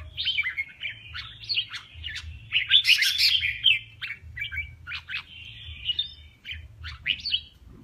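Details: Male red-whiskered bulbul in a singing contest delivers a continuous lively run of quick chirps and warbles, about three notes a second, peaking in a loud harsh burst midway; low hum underneath.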